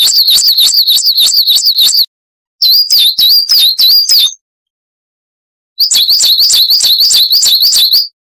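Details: Coal tit song recorded for cage-bird training, three bursts of brisk, piercing two-note phrases repeated about three per second, each burst ending abruptly with silence between.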